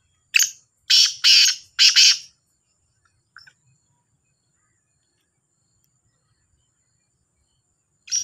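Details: Calling contest between two black francolins (kala teetar, Sahiwal teetar): one rasping four-note phrase of harsh, scratchy bursts, then a long quiet gap with a tiny faint note before another call begins at the end.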